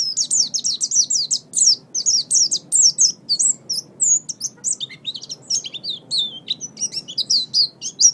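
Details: Oriental white-eye singing as training material for songbirds: a long, fast run of high, sharply downslurred chirps, then a more varied twittering warble with quick rising and falling notes.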